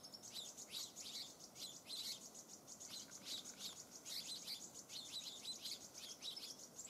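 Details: A flock of stripe-throated yuhinas feeding on rhododendron nectar in spring 2019 at Eaglenest Pass, Arunachal Pradesh, India: a steady, overlapping chatter of high, thin chirps and twitters with no pause, over a faint background hiss.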